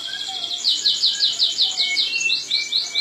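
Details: Crested jay used as a master recording, giving a fast series of about a dozen sharp high chirps repeated evenly, each note a short downslurred tick, over a faint steady whine and soft lower notes.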